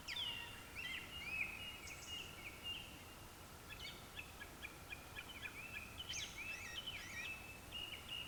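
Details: A Japanese thrush at dusk sings two bright, varied phrases of fluty whistles and quick trills a few seconds apart, over a faint steady background hum.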